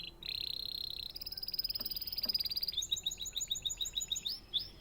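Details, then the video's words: Canary giving a sustained high trill, then a fast pulsed roll, ending in a series of rising and falling whistled notes. "natural canary chirping sound"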